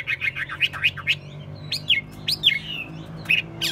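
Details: Captive Chinese hwamei, a good-voiced bird also tested for fighting, gives a string of quick chirps followed by spaced, swooping whistles that rise then fall, with low hum in the background.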